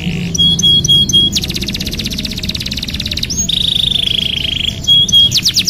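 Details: A canary sings to stimulate a bird that has stopped singing. It mixes fast buzzy rattles, a long steady whistled note and quick repeated chips, all loud and bright.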